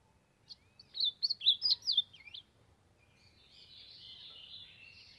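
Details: Warm-up singing from an ultramarine grosbeak in the Brazilian sertão: a rapid string of sharp, up-and-down whistled notes lasting just over a second, followed by a fainter hissing, buzzy trail and a low background rumble.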